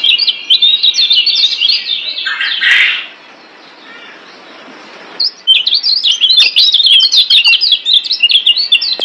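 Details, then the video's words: A Lombok yellow white-eye (kecial kuning, Zosterops) sings a fast, high, twittering warble of jumbled chirps, breaking off briefly behind a soft hiss and then resuming just as rapidly. It is a master song used to train other white-eyes. "Masteran Kecial Kuning"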